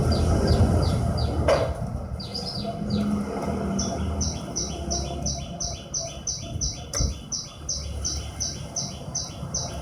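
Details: Horsfield's bush lark (branjangan) gives quick, high, downslurred notes about three per second. After a short pause it settles into a steady run alternating two pitches, with low rumble and a couple of sharp clicks behind.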